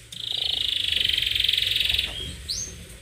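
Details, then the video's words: Canary in vigorous, attacking song: one fast, even rolled trill held for about two seconds, then a short lower note and a sharp upswept whistle. "Kenari Gacor nyerang"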